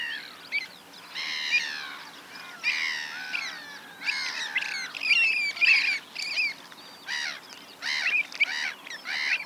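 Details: Avocets at Pennington Marshes, Hampshire, in June 2024: a busy chorus of sharp, clear notes and harsher chattering bursts, with several birds calling over one another and brief pauses between loud runs.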